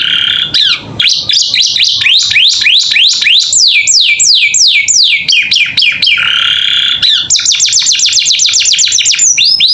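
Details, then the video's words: Captive canary singing training song for pet birds, opening with a low, harsh note, then rapid rising-and-falling whistled sweeps, a brief low churr, and finally a fast, very high-pitched rattling trill. "Masteran Kenari Gacor Isian"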